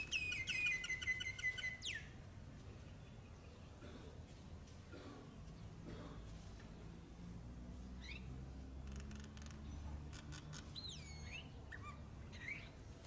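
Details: Common myna in Ipoh, Perak, Malaysia, at its nest site in an old utilities box: a harsh, harmonic, rising call in the first two seconds, then scattered short chattering notes later, over a steady low hum and a constant high whine.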